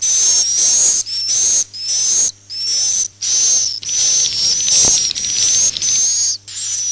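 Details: Roosting call of swiftlets, used as a lure: high, hissing, buzzy chirps, each about half a second long, repeated at a fairly steady pace with short gaps. A faint electrical hum runs beneath.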